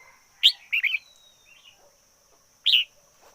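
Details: Decoy red-whiskered bulbul in strong song: a loud, sharp chirp is followed by a quick rolling trio of liquid, warbled notes and a thin gliding whistle, then after a pause another bright two-part phrase.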